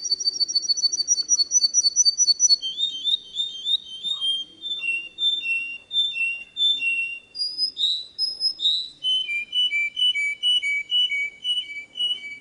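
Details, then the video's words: Faultless canary song used to tutor young birds: a fast high trill gives way to slower, descending series of rich whistled notes, each phrase stepping to a new pitch. "Chant Canari Super Pour l'écolage des jeunes sans fautes"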